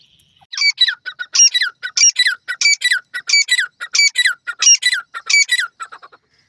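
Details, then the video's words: Francolin in a forest, giving loud harsh squeaky notes in a rhythmic series of paired phrases, about nine repetitions in quick succession, with a clean quiet background. "titur ki awaj"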